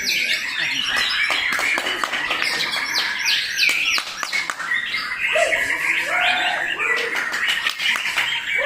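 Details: Murai batu, the white-rumped shama, pouring out continuous varied song of bright whistles, rattling chatters and abrupt clicks, with lower swooping notes toward the end.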